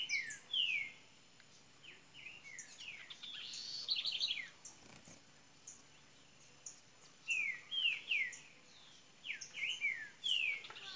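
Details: Double-collared seedeater from Minas Gerais, Brazil, starting up its song: bursts of clear, downslurred whistled notes, some quick and trilled, in phrases separated by short pauses, over faint background hiss.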